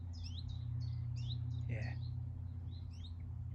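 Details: Common chiffchaff giving an alarm call near its nest, soft rising 'hweet' notes repeated a couple of times a second, over a low rumble and brief voice, on a sunny day, 14 May 2023.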